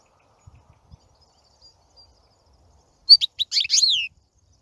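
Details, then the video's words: European goldfinch singing: after near silence, one brief burst of high twittering notes with a downward-sliding whistle near the end, lasting about a second. "Красивое пение щегла. Singing goldfinch. آواز خواندن فنچ"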